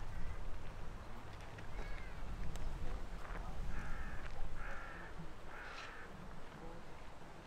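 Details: White-speckled crow with other crows in the afternoon in the Schönbrunn Park gardens: three harsh, flat caws close together midway through, over loud, steady low rumbling background noise.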